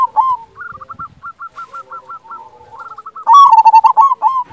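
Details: Loud-voiced local zebra dove singing, used as a tutor to provoke quiet doves into calling: a quick stuttering series of soft coo notes, then a loud rich burst of rolling, throbbing coos.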